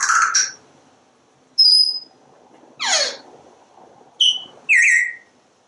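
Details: Talking pet parrot on a screened porch, watching squirrels and birds outside, producing a run of loud whistled sounds: a harsh opening note, a thin high whistle, a steeply falling swoop, then two short bright squeaky whistles close together.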